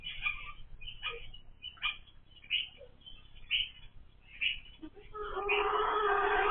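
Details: Domestic hens that have started laying eggs, kept by a first-time keeper and described as super noisy; short sharp calls repeat at uneven intervals, then a louder, broad, harsh burst of sound closes the passage.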